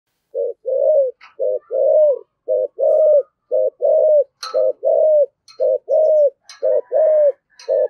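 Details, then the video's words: Spotted dove singing in the 'thổ sấm' voice style with rapid prodding coos: low, mellow paired coos, a short clipped note followed by a longer, slightly falling one, repeated steadily about once a second, with faint chirps of other birds. "cu gáy giọng thổ sấm thúc gù rất cực đỉnh, cu gáy giọng thổ sấm"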